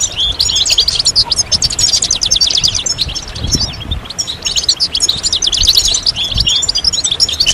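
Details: European goldfinches in group twittering and mating calls, used to stimulate males to sing: a dense, continuous stream of high, bright tinkling chirps and trills from several birds, with a few low thumps in the background.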